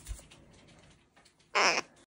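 A red-shouldered macaw gives one loud, harsh, raspy squawk lasting about a quarter second, after a quiet stretch of indoor room sound.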